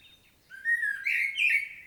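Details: In Świnoujście, Poland, on 25 September 2022, a common blackbird sings a short, loud fluted phrase of two or three rich whistled notes that end in a squeaky flourish.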